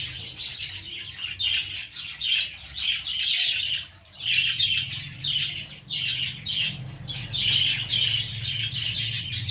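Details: Baby lovebirds sitting in a plant produce loud bursts of shrill, chattering chirps, broken by a short lull near the middle, with a soft low hum behind.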